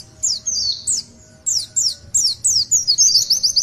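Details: Pleci or Oriental white-eye, master singer, long 'tulitwitwit': spaced high downslurred whistles with short pauses, ending in a quick string of twittering notes.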